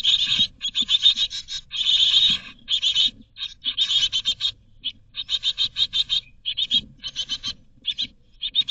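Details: Great tit chicks in a Berlin nest box, 2022, begging while waiting to be fed: dense bursts of high, raspy, rapidly pulsed chirps in clustered groups, near-continuous with short gaps, faint low rustling underneath.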